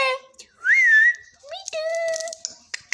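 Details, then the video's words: Parrot eating and talking: a short voice-like harmonic phrase, then a rising whistled note that levels off, followed by a steady whistled tone with a few sharp clicks. "parrot talking"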